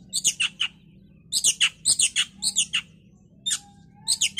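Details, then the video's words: Oriental magpie-robin on a bait recording meant to provoke singing: harsh, buzzy chattering notes in quick groups of two or three, repeated about twice a second with short pauses, and a faint thin whistle. "Pancingan KACER agar cepat EMOSI dan GACOR"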